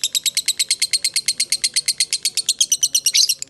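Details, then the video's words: A lovebird of fighter type delivering ngekek, the long chatter used as a lure for other lovebirds: sharp, high, rasping notes about seven per second, very regular, swelling a little louder near the end. "Dengarkan Suara Lovebird ini dijamin ikutan Nyaut Ngekek"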